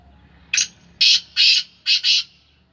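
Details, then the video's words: A kept black francolin, known locally as kala teetar and described as Sindhi Gangas lineage, calls with five rasping broadband notes in about two seconds, the last two run closely together, with little background noise. "Kala teetar ki awaz / black francolin voice کالا تیتر کی آواز"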